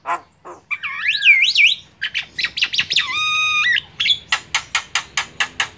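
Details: A wild Javan myna (Acridotheres javanicus) gives a varied run of whistles, rising and falling slurs and harsh squawks, ending in a fast series of rasping, repeated notes.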